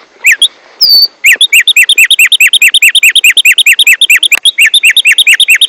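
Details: Tico-tico, also called tumba yegua, with a loud and constant song: a few opening chirps and one high whistle, then a long rapid series of sharp, bright, downslurred notes repeated about eight times a second.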